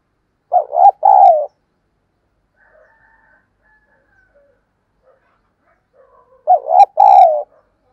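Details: Spotted dove decoy cooing hard to attract wild doves: two loud phrases six seconds apart, each two short pulsing notes then a long falling coo, with quiet faint sounds in the gap.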